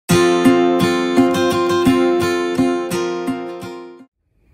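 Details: Plucked acoustic guitar chords ring out in a brisk strummed rhythm and then fade to silence, with no animal sound.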